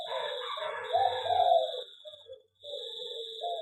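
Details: Zebra dove kept in an aviary, a local bird, giving low, soft, rolling coos that swell mid-phrase and pause briefly before resuming, with a steady high electrical whine throughout.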